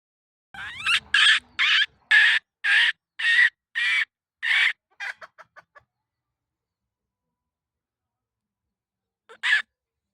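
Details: Hen giving a run of about ten loud, evenly spaced harsh clucks over five seconds, then a few quick fading notes, silence, and one last squawk near the end.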